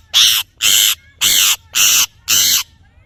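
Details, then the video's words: Parrot natural voice: five loud, harsh, broad screeching calls about half a second each, evenly repeated roughly twice a second, over faint low background hum. "Parrot Natural Sounds / Voices"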